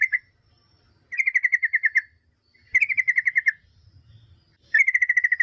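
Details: Yellow-vented bulbul sound played as a lure to draw replies from other bulbuls: a quick run of bright, pulsed chattering notes about a second long, given three more times after a brief opening note, with soft low background noise in the pauses.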